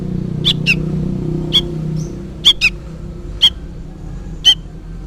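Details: Young sooty-headed bulbul begging noisily, apparently calling its parent: brief high chips, sometimes doubled, spaced about a second apart over a low droning hum.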